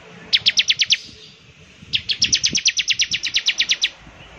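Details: {'caption': 'Bar-winged prinia singing keenly, its distinctive call said to make other prinias sing along; a short burst of six sharp high chips, a pause, then a longer even run of about fifteen.'}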